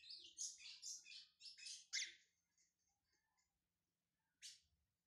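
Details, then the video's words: Warming-up session of a kept brown Lined Seedeater: a quick series of five or six loud, high chip-like bursts, then quiet, then one lone sharp note. "Esquentando-meu-bigodinho pardo"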